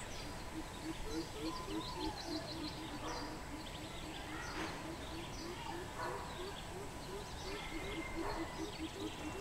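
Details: Greater coucal recorded 13 June 2020: continuous run of low, resonant hoops at a rapid, steady pace across the whole stretch, backed by chirping birds and a background hiss.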